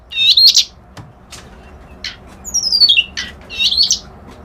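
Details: Reed warbler song made of short scratchy, buzzy bursts separated by pauses, with one long high whistle falling sharply in pitch in the middle; close and clear with little background noise.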